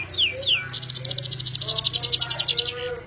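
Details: Canary in gacor song with melodious cengkok: a few falling whistles lead into a long rapid pulsing trill, bright and high, with soft lower notes beneath and a sharp high note at the close. A low hum runs throughout.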